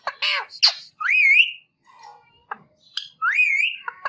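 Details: Ring-necked parakeet calling: two clear rising whistles with rich overtones, mixed with raspy squawks, brief clicks and a soft low murmur in a quiet gap.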